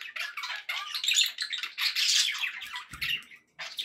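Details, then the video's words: Pet budgerigar chatter played to keep parakeets company; loud scratchy warbling and chirps, with a brief low knock near the end before a short pause. "1 hour of budgie sounds for pet parakeets to make tham happy"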